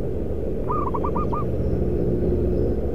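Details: Zebra dove calling near a concrete pipe and paving works in Kudus, Central Java, during a trapping session. One quick phrase of about five bouncing coo notes rises out of heavy machine drone.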